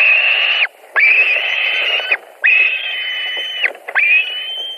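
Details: During an evening fish delivery at a white-tailed eagle nest in Latvia, 17 July 2020, two birds vie for the catch. Four long, strained whining calls run almost back to back, each ending in a falling slur.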